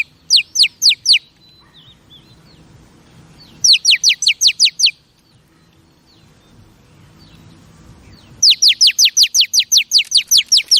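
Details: Female oriental magpie-robin song used to stimulate pet male birds: three bursts of rapid, high, falling whistled notes, four to ten per burst, separated by quiet pauses of several seconds.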